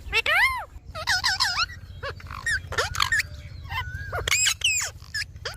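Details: Pet Indian ringneck parakeet chattering in arched, harmonic, voice-like syllables and quick repeated squeaks, with a low steady rumble underneath throughout.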